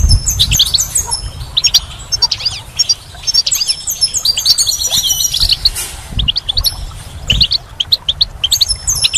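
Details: Goldfinch singing in spring: dense, rapid twittering of high tinkling notes and buzzy trills in quick bursts, several birds possibly overlapping, with low background rumble and a few knocks.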